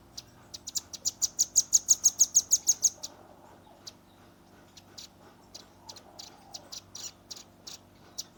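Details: Velvet-fronted nuthatch, a young bird, in rapid shooting song: a fast, even trill of about fifteen piercing high notes over two seconds, then scattered single chips and short bursts spaced apart.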